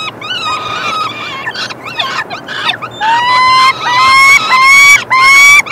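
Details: Peregrine falcon chicks begging as the male feeds them on 3 June 2024: at first a jumble of short, chippy squeals, then from halfway on loud, drawn-out harmonic wails that rise at the end, repeated about once a second.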